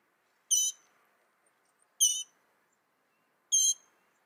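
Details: Northern mockingbird singing: three harsh, buzzy, stacked notes spaced about one and a half seconds apart, each a short burst in a quiet background.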